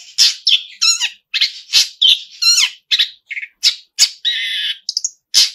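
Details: Actively singing Long-tailed shrike delivering a song packed with mimicked fills: a jumble of harsh squawks, trilled notes and one steady buzzy tone, each phrase short and clipped with brief silences.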